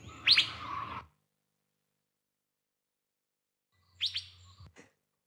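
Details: Asian Fairy-bluebird, the genuine bird whose call drongos mimic, giving two bursts of sharp, high, quick double notes about three seconds apart, over a faint low hum.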